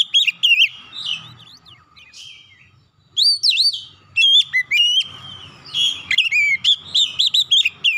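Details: Oriental magpie-robin singing to spur a stressed untrained bird into song: varied whistles and slurred notes, a quieter stretch with faint low noise, then dense rapid whistled phrases with sharp upsweeps.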